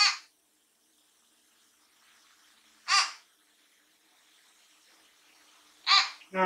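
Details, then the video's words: Pet common hill myna, a young bird kept since late January, in a fairly quiet natural voice: loud, harsh, hoarse squawks about every three seconds, with a person's voice briefly at the end. "地声がかわいい ♪【九官鳥"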